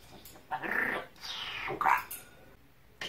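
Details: A pet talking parrot, described as swearing at its owner in Russian, utters harsh, raspy, speech-like phrases: three rough bursts within about three seconds, with a short click at the end.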